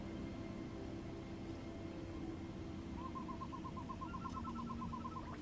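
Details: Spot-winged wood quail: after a quiet start, a rapid series of short repeated notes begins. A second, slightly higher series overlaps it near the end, over constant low background hum.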